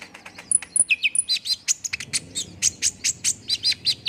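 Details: Olive-backed sunbird song used to prompt a bird to sing quickly: a rapid run of high, sharp chirps and thin descending whistled notes, about two per second, densely packed with brief trills.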